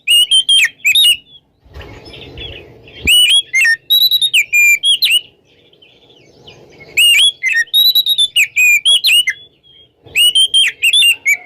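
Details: Oriental magpie-robin in ngeplong song on a morning, played to set silent birds singing: bursts of bright warbled whistles with quick up-and-down slurs, repeated in phrases about every three seconds, with a short rumbling noise between the first two.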